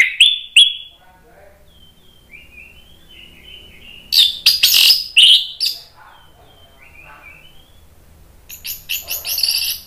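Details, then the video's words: Agitated Orange-headed thrush song used to provoke other birds into singing: sharp opening whistles, soft sliding warbles, a loud, dense burst of shrill notes, then a rapid high twittering run. "ANIS MERAH spontan EMOSI NRATAK terus NGEPLONG ¦ PANCINGAN AM"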